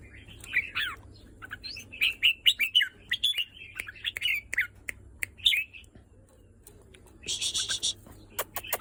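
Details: Red-whiskered bulbul delivering a fast, jumbled run of warbled and whistled notes, followed by scattered clicks, a harsh buzzy burst, and a closing whistle.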